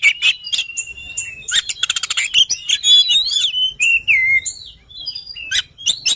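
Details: Oriental magpie-robin singing loudly and clearly: a varied run of sweet whistles, sharp slurred notes and a quick rattling trill, phrases changing pitch rapidly with brief pauses between, on an otherwise quiet background.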